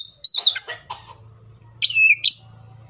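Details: Oriental magpie-robin singing in the wild: a bright whistled phrase slurring downward, a few short chirps, then two separated whistled notes after a pause, over a steady low hum.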